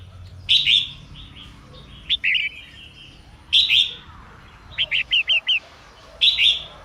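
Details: Female red-whiskered bulbul singing to stimulate males into song: rich slurred warbling phrases separated by pauses, including a burst of five short upslurred whistles, over faint background noise.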